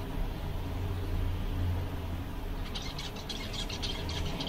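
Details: Seven zebra finches on a summer day, described as content. After a stretch of low rumbling background, a burst of short, sharp, nasal calls starts partway through and repeats irregularly to the end.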